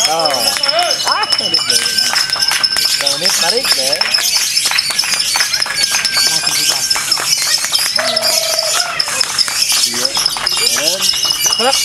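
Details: Lovebird in a free-class singing contest, giving its rapid, unbroken 'konslet' chatter: dense, continuous squeaky twitters with rising and falling slurred notes and occasional longer steady whistles, loud throughout with no pauses.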